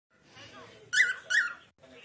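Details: Indoor cockatiel, said to be talking to a friend, gives two loud, harsh, bright chirps about half a second apart after a soft low murmur, then a faint trailing sound.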